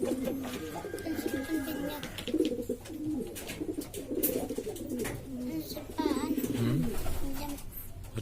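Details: Domestic pigeons of various breeds from East Lombok, West Nusa Tenggara, Indonesia, kept by hobbyists, a noisy flock cooing among themselves; overlapping low, throaty rolling coos run continuously, with some swooping coos near the end and faint background clatter.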